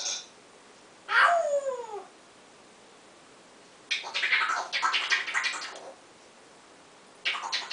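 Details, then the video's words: Male African grey parrot kept as a pet, practising a fresh "owww" vocalisation; a sliding, descending wail, followed by about two seconds of rapid raspy chatter and a final short rough burst. "African Grey practicing new owww sound"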